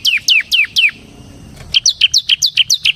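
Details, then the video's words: Semi gacor ciblek (Bar-winged prinia) in song used to lure and school ciblek kristal: four loud downslurred notes, a pause, then a quicker run of clipped high chirps. "suara burung CIBLEK SEMI GACOR Ngebren Ampuh untuk Pancingan Ciblek Kristal dan Masteran Ciblek"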